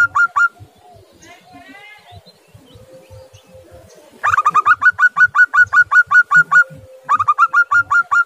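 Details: Zebra dove; cooing call; calling to prompt a silent dove into calling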